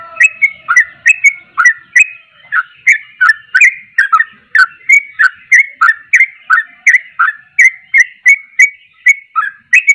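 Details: Energetic sooty-headed bulbul song meant to rile other bulbuls: crisp whistled notes repeated steadily, roughly three each second, each with a fast downward slur and sharp chirpy attack.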